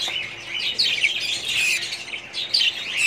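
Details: Budgerigars chatter together in their colony, recorded 2017: a steady wash of scratchy twitters with a few clear whistled chirps rising above it, including sharper notes near one and two and a half seconds.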